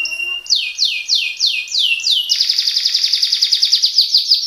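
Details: Canary singing in a fast speed-roll style: six loud downward-sweeping notes, then a long, dense, rapid trill that rolls on steadily to the end.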